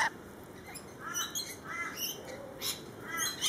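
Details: Lorikeets in a feeding frenzy screech and chatter together, harsh rasping notes overlapping in quick bursts every half second or so, several birds calling at once.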